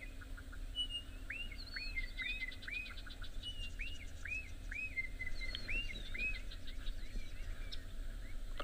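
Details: A pair of bokmakieries hidden in a bush at sunrise on 18 April 2024 at Djuma Private Game Reserve, South Africa, trade loud ringing whistles arching up then down, about two per second, over a vehicle engine rumble and faint chirps.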